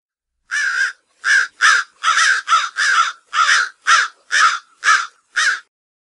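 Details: American crow (Corvus brachyrhynchos), caw calls.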